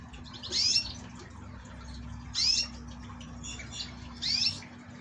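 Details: Young caged canary chick, offspring of yellow canaries and survivor of a fighting-disrupted nest; three sharp high chirps spaced nearly two seconds apart against a faint constant hum.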